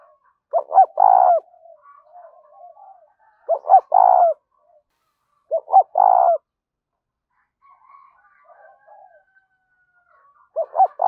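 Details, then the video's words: Spotted dove used as a decoy caller in a field: four coo phrases, each two short rising notes and a longer mellow coo, a few seconds apart, with faint soft calls between. "tiếng cu gáy kích bổi vang cả cánh đồng"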